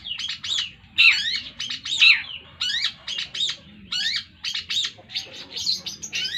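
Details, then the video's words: Young Long-tailed shrike, eight months old, delivering Tengkek Buto phrasing linked to greja yeret: harsh, sweeping chevron-shaped notes repeated roughly once a second, some doubled, in an uneven, insistent run. "burung cendet full Tengkek Buto sambung greja yeret"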